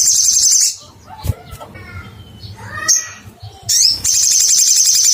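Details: Sogok ontong, or little spiderhunter, seeking a rival, opening and closing with loud, shrill buzzy trills, with softer twittering notes and a single sharp chip between them.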